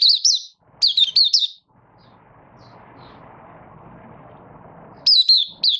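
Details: Malaysian Oriental white-eye kept as a hobby bird, in light moult and coming into form, August 2023. It sings rapid clusters of high, wavering chirps, then falls quiet during a long stretch of low background hum before a fresh burst.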